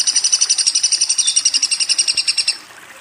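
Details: Woodpecker calling in a rapid run of sharp, high, evenly spaced chirps for about two and a half seconds, then falling quiet.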